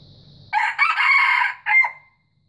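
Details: Single harsh crow from a white junglefowl: a rasping opening, a long strained middle section, then a brief tailing note that trails off. A steady high-pitched hum lies behind it at first.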